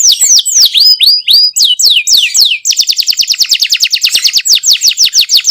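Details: Canary singing in the rolling, shooting style Indonesians call 'ngerol nembak': a run of loud descending whistled sweeps, then a fast, even trill of rapid repeated notes, about seven per second, clean background.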